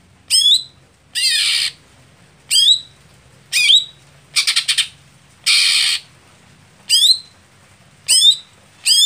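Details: Greater green leafbird contest setting for a late, slow bird: a lively series of descending whistles interleaved with harsh rasps and a quick rattling stutter, roughly one element per second.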